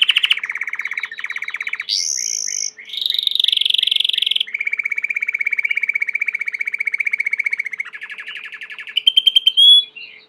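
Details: Domestic Belgian canary in extended song, chaining rapid rolling trills at varied pitches: low tours, a high whistled phrase, a buzzy roll, and a closing run of sharp rising notes.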